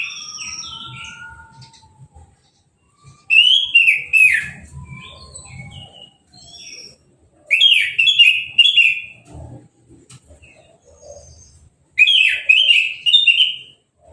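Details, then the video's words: Orange-headed thrush singing after its moult, freshly hosed down and uncovered: loud rich phrases of mixed whistles and rapid chattering notes, repeated about every four seconds, with quieter thin whistles between. "Anis Merah Sehabis Mabung Mandinya Disemprot Selang , Gak Pakai Kerodong , Bisa Langsung Berbunyi"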